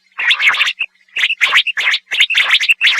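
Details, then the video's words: Common quail, locally called batair, singing: short harsh burry bursts mixed with brief clear whistled notes, given in quick groups about once a second, with no other sounds. "Quail singing AWAZ ,Quail sound"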